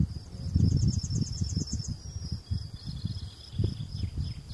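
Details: Yellowhammer singing in Val Veddasca, Varese province, Italy: a quick run of about ten thin, high, repeated notes over one and a half seconds, then a longer drawn-out note, over a steady high whine and heavy low wind rumble.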